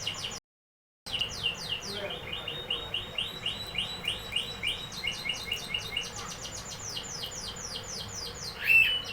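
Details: Canary singing a continuous run of rapid trills and repeated high notes, phrases changing every second or so, with a brief gap near the start and a sharper whistled note at the end; faint background hum.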